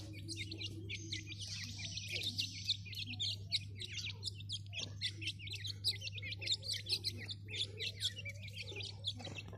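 Grey francolin chicks give a busy stream of thin, high peeps and chirps, several overlapping at a time, over a steady low hum.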